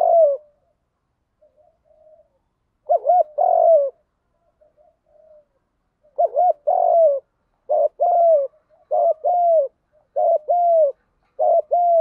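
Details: Continuous field-style fighting coo of a spotted dove, for luring wild doves: after two slower phrases the deep paired coos come faster, about six quick phrases back to back with short silences.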